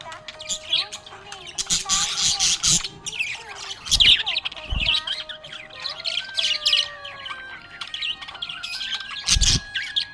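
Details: Cheerful budgerigar chatter: continuous rapid twitters, squeaks and harsh short squawks, with loud knocks at about four, five and nine seconds and a sustained tonal melody beneath.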